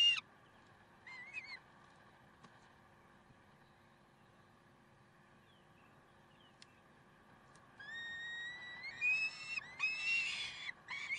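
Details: Peregrine falcons at Karlsruhe, 30 May 2010, 6:56. A few short wavering calls come early, then near silence with a low hum. Rising nasal wails build into a scratchy chorus during the last three seconds.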